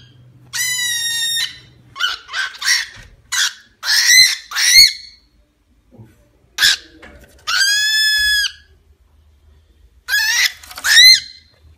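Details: A small, lively pet cockatiel scolds a small pillow placed around its cage or play area, showing resentment while playing rough: harsh, loud, drawn-out screeching calls alternate with short sharp chirps and squawks, separated by brief silences.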